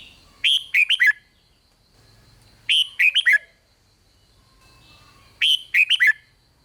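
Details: Song of a red-whiskered bulbul in the Thai 'rik' style, used to make other bulbuls excited: three bursts of four rich, falling whistled notes, spaced about two and a half seconds apart, faint low hum between.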